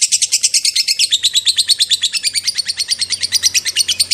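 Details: Long 'ngekek' chattering of a lovebird, used to lure other lovebirds into answering: a continuous, rapid, buzzy high trill of evenly repeated notes, steady in pace from start to finish.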